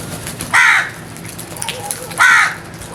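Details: Crow calling with two loud, hoarse, drawn-out caws, spaced about one and a half seconds apart, over quiet background noise.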